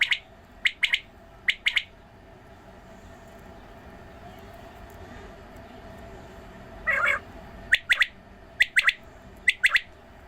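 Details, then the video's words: Watering of quails with their repeated calls: crisp three-note phrases roughly every second, a quiet pause, a short harsh hissing burst, then more triple-note calls. "Video of watering quail and sound of quails. بٹیرے کو پانی ڈالنے والی ویڈیو اور بٹیروں کی اواز"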